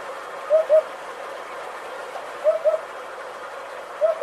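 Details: Hoopoe repeating a low, soft, hollow double hoot, 'oop-oop', three times at intervals of about two seconds, over a quiet background hiss.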